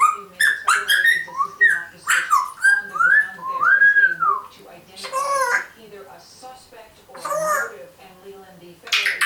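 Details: Nala, a one-year-old female African grey parrot, babbling a steady stream of speech-like chatter, phrases like 'wanna come with me', mixed with rising and falling whistles and clicks, in a small room.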